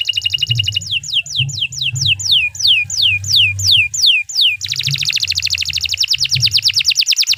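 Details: Canary's long, continuous song used as a master recording for training other birds: a dense high buzzy trill, then a series of quick descending whistled sweeps, then a fast rattling trill, over a low background hum.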